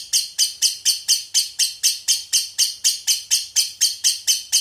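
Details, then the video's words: Lovebird singing in the konslet style with an isian walang fill: harsh, buzzy, very high chirped bursts, each fading quickly, repeated steadily about four times per second throughout, over a faint low hum. "Love bird konslet isian walang"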